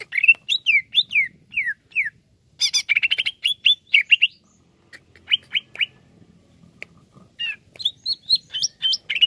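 Greater green leafbird singing bright, varied whistled phrases, some falling and some chattering. It sings in quick bursts with short pauses between them, and nothing else is heard.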